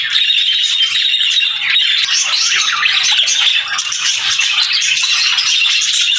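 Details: Budgerigars chirping together in a dense, continuous chatter of fast high twitters and scratchy squawks, steady and unbroken throughout with no other sounds standing out.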